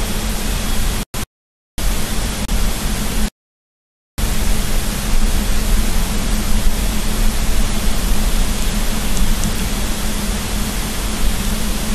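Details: Steady broadband rushing noise, heaviest in the low range, broken by two brief dropouts to silence, with no animal calls.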